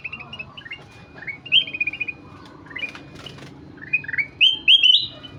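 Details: Ruby-throated bulbul (kutilang emas) in full, lively song: bright whistled notes in quick chains, some stepping upward, others bouncing in short rising phrases, loudest toward the end over faint low background noise.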